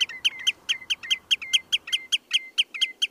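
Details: Redshank at Holes Bay, Poole, UK, giving a fast run of sharp, piping notes, each dropping in pitch, about four to five per second, with a quiet background.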